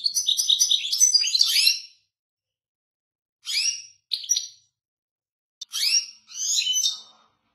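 A European goldfinch sings bright, tinkling twitters mixed with buzzy, liquid trills, delivered in quick bursts with short pauses between. No other sounds are heard.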